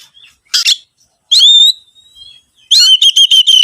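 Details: Oriental magpie-robin song played as a lure to get other birds singing: a short burst of buzzy chatter, a clear high whistle that bends downward, then a quick run of sharp, high, clipped notes against silence.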